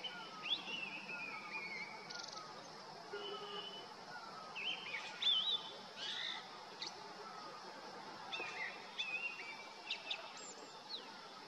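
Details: A male Grey-winged Blackbird trills out territorial song from a deodar twig in the summer Uttarakhand Himalaya: spaced, fluty phrases and brief chattering bursts, while softer repeated falling calls of another bird echo through the valley.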